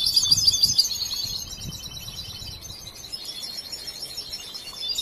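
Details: Young European goldfinch, a large bird watched from hatching and still being trained in its song, gives a burst of bright high twittering chirps at the start, then softer scattered tinkling notes over faint background noise.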